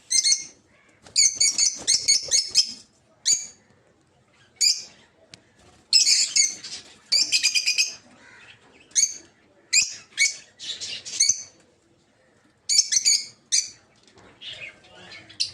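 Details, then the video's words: Rosy-faced lovebirds of several colour mutations, kept for breeding in an aviary, chatter in repeated bursts of shrill screeching chirps separated by brief quiet spells. "Peach-Faced Lovebird's Sounds"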